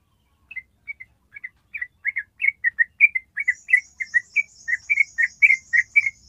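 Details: Yellow-vented bulbul in a long ropel trill, used for training birds: notes start sparse and soft, then build into a steady, louder chirping run, while a thin high buzzy sound joins midway.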